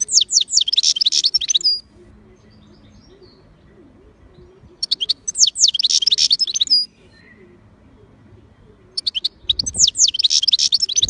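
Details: European goldfinch singing in full voice: three bursts of rapid, high, tinkling twitters, each lasting about two seconds, separated by quiet pauses of roughly three seconds, with faint low background hum.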